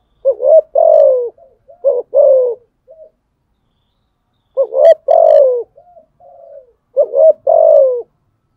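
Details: Spotted dove cooing to challenge rivals in the fighting style: paired coos, a brief rising note then a drawn-out descending phrase, with short soft trailing notes between phrases and occasional faint clicks.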